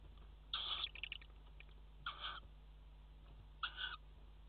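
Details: Tawny owl pair at a water-tower nest box, 5 February 2018, mating on the edge: three rough, scratchy calls about 1.5 seconds apart, the first trailing into faint ticking, with background hum.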